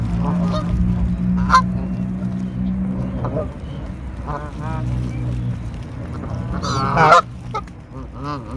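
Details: Canada Goose feeding hungrily among seagulls, giving rough, nasal honks in loose clusters, loudest near the end, over a constant low background drone and occasional sharper gull notes.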